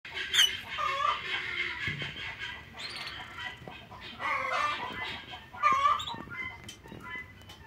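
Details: Lovebirds, dated 9 September 2024, giving harsh, raspy squawks and shrill screeches in bursts, with short sharp chirps between them and a low steady hum in the background.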